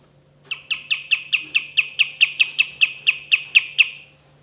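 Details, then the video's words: Kapas tembak delivering its characteristic rapid-fire shooting notes: about fifteen sharp, high, evenly spaced notes over three and a half seconds, each with a quick downward flick, on a quiet humming background. "KAPAS TEMBAK GACOR SUARA DAN TEMBAKAN MEWAH"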